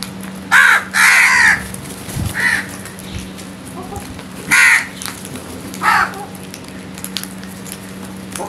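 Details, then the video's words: Morning crow cawing: a series of loud, raspy caws, one drawn out, others short, spaced irregularly over several seconds, with a steady low hum and a few thumps in the background. "Crows Sounds"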